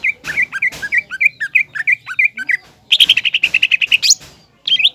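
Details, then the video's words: Green leafbird's provoking song aimed at making a spotted juvenile leafbird aggressive: a steady series of short, paired whistled notes, then a fast run of bright repeated chips ending in an upward sweep. "CUCAK IJO GACOR MEMANCING CUCAK IJO TROTOL AGAR EMOSI DAN PANAS"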